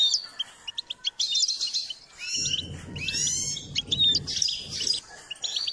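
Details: Goldfinch singing while being trained and stimulated to sing: rapid twittering, tinkling phrases with high buzzy trills and quick notes, broken by short pauses; a low rumbling noise underneath in the middle.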